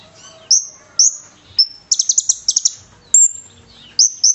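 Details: Brown-throated sunbird (konin) singing a cililin-filled fighter song for training birds: short high whistles, then two quick groups of buzzy repeated notes, then a long thin whistle and two final chirps.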